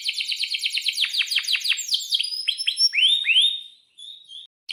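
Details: Lure song of a singing canary for teaching young birds. Rapid downward-swept chirps repeat several times a second, then slower rising-and-falling whistled notes and a short final burst.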